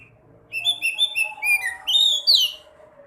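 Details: Caged sekoci singing to lure other sekoci into full song: a run of clear whistled notes sliding downward, then louder rising-and-falling whistles near the end, with a soft low hum underneath.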